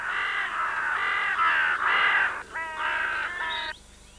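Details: A Common Raven (Corvus corax) at its nest in a woodland in mid Wales in spring, with fledglings almost ready to leave. It gives harsh, nasal, rasping calls back to back, about seven in four seconds, each held and slightly wavering.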